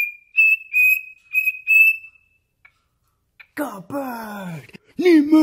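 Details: Cockatiel kept as a pet sings toward its owner's foot indoors: four short, level, pure whistles in quick succession, then a pause before louder, harsher chattering sounds take over.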